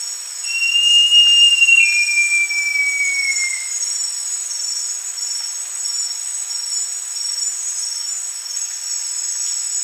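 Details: Great jacamar (Jacamerops aureus) song: a long, high, clear whistle that steps down partway and then slides gently lower, fading out after about three and a half seconds over a steady, shrill insect drone.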